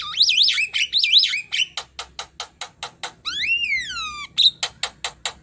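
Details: Energetic Javan myna song used to train young birds: wavy whistled phrases, a string of dry clicks, a long descending slurred whistle, then more rapid ticking notes.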